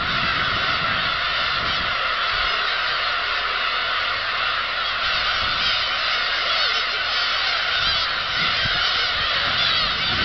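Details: A large flock of black-tailed gulls takes off at Kabushima on 13 March 2016, giving a dense, unbroken chorus of mewing, nasal cries so thickly overlapping that single calls blur into a steady roar.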